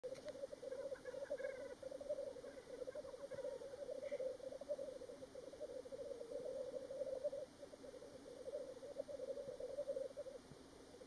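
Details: Black grouse at Worlds End, Ruabon Moor, North Wales, on 25 March 2018: a steady, low, bubbling murmur runs almost unbroken for the whole stretch, with a few faint higher notes early on.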